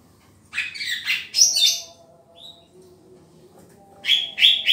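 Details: Greater green leafbird (Chloropsis sonnerati) song during a pairing of birds: bright, varied bursts of high chirps and whistles, a second burst following after a pause, over a faint low hum.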